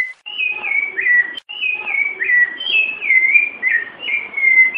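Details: Piedade-style song of a rufous-bellied thrush, said to contain female calls and used to warm up a pet bird: sweet whistled notes sliding up and down, grouped in short phrases with brief pauses.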